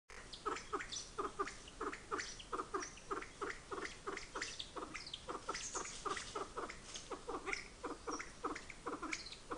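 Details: Kalij pheasant in breeding season near Nainital in the Himalaya gives a rapid run of short, harsh clucking notes, about three or four a second, with faint background hiss.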